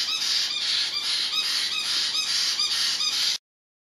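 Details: Baby caiques screaming in their brooder at night to be fed, no longer needing night feedings: dense, grating screeches pulsing several times a second from multiple chicks, ending abruptly in silence.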